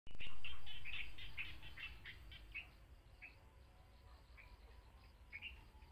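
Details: In the late afternoon near home, a frogmouth gives quick, high chirping notes, rapid at first and then scattered, over a steady low rumble.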